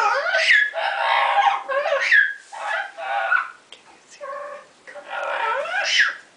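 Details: Pet female double yellow-headed amazon parrot, excited while playing in her favourite hiding place, an open cabinet, making a string of harsh, squawky, chattering noises in bursts with short pauses between.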